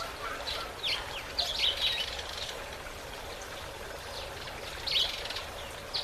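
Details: Fiscal flycatcher taking a bath: short, high, thin chirps in two loose bursts, over a steady hiss of background noise.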